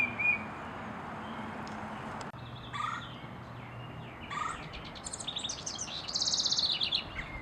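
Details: Female tufted titmouse calling her mate to gather more nest material during nest building: scattered high chirps and short twittering notes that grow busier toward the end, over a low background rumble.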